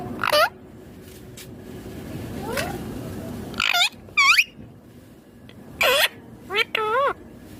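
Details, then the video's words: Sparse calls from a pet green ringneck parrot: a squawk at the start, then after a hushed stretch, a few short wavering harmonic notes in pairs near the end. "My Ringneck Green Parrot Talking Natural Sounds"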